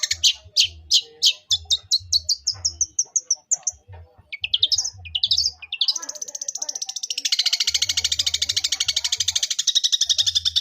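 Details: Fighting song of a long-tailed shrike mimicking a sparrow: spaced chirps quicken into a rising trill, then break into a long, dense, buzzy chattering rattle; a low hum underneath.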